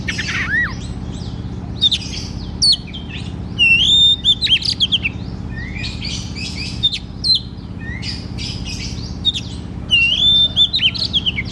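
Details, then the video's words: Caged white-rumped shama singing loudly as a training lure for a shama that sings little: rich mix of pure rising and falling whistles and rapid harsh chattering bursts, with a constant low background hum. "KACER GACOR TERAPI KACER MALAS BUNYI"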